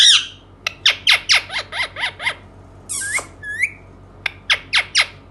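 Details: Indian ringneck parakeet uttering a quick series of sharp, falling chirps at a steady beat, broken by a raspy squawk and a brief rising whistle, then more chirps.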